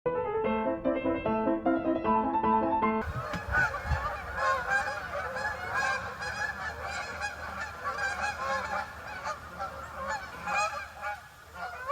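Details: Geese honking: after a brief piano passage, a loud, dense chorus of overlapping nasal honks starts abruptly and continues without pause to the end.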